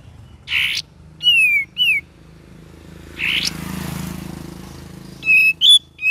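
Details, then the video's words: Cream-vented bulbul giving varied gacor and ngeriwik phrases: scratchy bursts mixed with clear, descending whistles in short groups, separated by pauses with a low background rumble. "KAPAS TEMBAK VARIASI GACOR DAN NGERIWIK"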